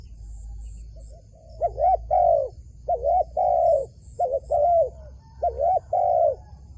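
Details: Wild dove, the bird being lured into a trap, begins after a quiet second and then gives paired coos, a quick doubled note then a sustained one, four times.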